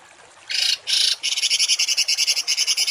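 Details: Songbird harsh 'tembakan kasar' (rough shot) masteran song, used to train cage birds for contests. Two longer harsh buzzy bursts open, then a rapid run of short, high, grating notes repeated about four to five times per second.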